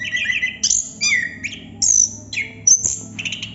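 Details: Chestnut-capped thrush, known locally as anis kembang or plontang, in continuous rolling song: varied high whistled and slurred phrases, some sweeping down, others rising sharply, broken by short pauses, with a faint low hum underneath.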